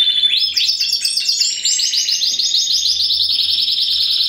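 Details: First-generation cross of Spanish Timbrado and wild canary, home-bred in 2015, singing fast repeated metallic notes that shift into a long run of rolling, evenly pulsed high trills.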